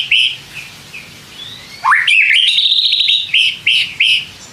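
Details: White-rumped shama song used to incite other shamas to reply: soft whistled notes at first, then a sharply rising note leading into a rapid trilled phrase and evenly spaced repeated whistles.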